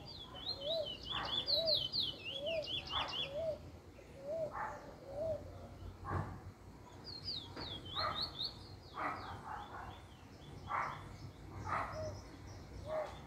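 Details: Trinidad bullfinch (chestnut-bellied seed finch), a first-black bird picking up its song form, 10/10/20: bursts of fast, high sliding whistles alternate with low repeated chip notes and dull knocking sounds.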